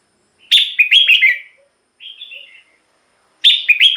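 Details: Caged red-whiskered bulbul, recorded to excite other birds or lure wild bulbuls. A quick phrase of tumbling whistled notes is followed by a softer warble, then the next phrase begins.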